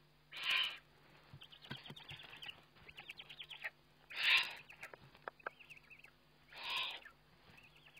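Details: Eurasian eagle-owl feeding on a webcam, 29 May 2011: three wheezy hisses about two to three seconds apart, with busy high chittering and tapping between them, over a low hum.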